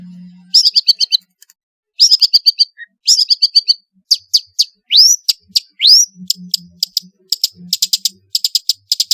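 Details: Long-tailed shrike singing actively with varied fill-in phrases, serving as a lure for lazy shrikes: bursts of rapid high ticking trills separated by short pauses, plus two upward-sweeping whistles mid-sequence.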